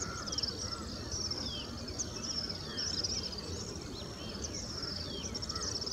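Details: Little swifts, large numbers flying around together at dusk in India, give shrill, rapid twittering trills in overlapping bursts every second or two, over a steady low rumble and a few other faint bird notes.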